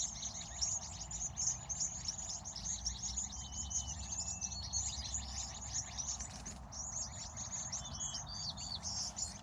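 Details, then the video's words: Sunset in California with a steady wash of high chirps from many birds, broken by a few clear, flat whistled notes and a constant low hum. "Sunset, Bird Sounds, Sky and Colors"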